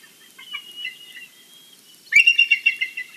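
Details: Bald eagle at a Big Bear valley nest in the morning, recorded by a live nest camera: a faint thin whistle, then a loud volley of high, sharp, chattering notes at about one second's length.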